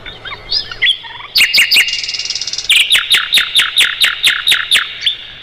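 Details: Mugimaki flycatcher singing, offered as master song for roll-type songbirds such as the White-rumped shama: soft whistles, a high buzzy trill, then a brisk run of sharp, evenly repeated downward notes.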